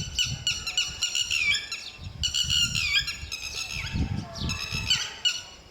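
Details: Lapwings, with male and female guarding their chicks together. They give sharp, ringing, strongly harmonic calls in rapid repeated bursts over a low background rumble.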